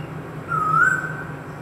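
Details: Indian cuckoo calling at home: one clear whistled note that slides upward and holds for about a second, over a steady low background hum.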